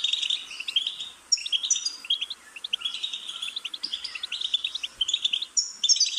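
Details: Goldfinch song as a dense, rambling stream of twittering notes, buzzy trills and sharp high whistles running almost without a break.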